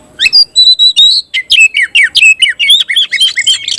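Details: Caged oriental magpie-robin singing loudly and persistently with its tail spread, in a tayoraky-style song: a brisk run of sharp whistled notes, clear sustained tones, then rapid downslurred chips repeated several times a second.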